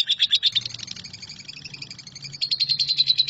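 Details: Lovebird 'nyambung kuntilanak' song meant as shrike tutor recording. Loud rapid chirps fade to a softer stretch, then a bright fast trill returns. A low hum is heard throughout.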